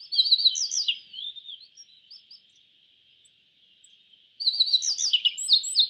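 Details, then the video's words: Yellow bunting, an East Asian songbird of the bunting family, singing two bursts of high, quick, twittering chirps, each about a second and a half long and separated by a pause, over a faint steady high-pitched hum. "Suara Burung YELLOW BUNTING - YELLOW BUNTING Bird Sound"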